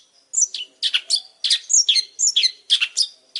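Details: Long-tailed shrike in vigorous, persistent song, giving harsh, sharply falling notes in pairs and triplets, about two groups per second, with a faint low hum behind.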